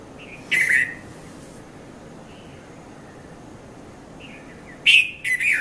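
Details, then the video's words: Red-vented bulbul in early morning, 5:30 to 5:40 a.m., Mount Lavinia, Sri Lanka: a bright chirp, a pause of several seconds with faint distant notes, then two more quick chirps over steady hiss. "Red-vented Bulbul Bird Voice"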